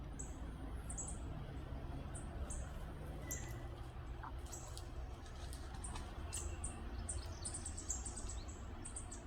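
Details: Northern Parula fledgling at Lettuce Lake Park, Tampa, Florida, on 2 May 2022, gives very high, thin chip notes, several each second, over a steady low rumble of background noise.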